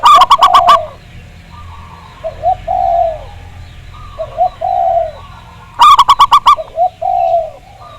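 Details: Local Javanese zebra dove song used as a lure to set other doves singing, with a big voice. A fast burst of about six loud, ringing notes opens and recurs after five seconds, with soft, falling low coos in between.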